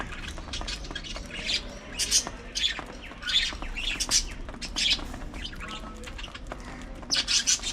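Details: Budgerigars at early morning feeding time: loud harsh squawks and bright chirps from several birds overlap in irregular bursts, with quieter twittering between them and a low background hum.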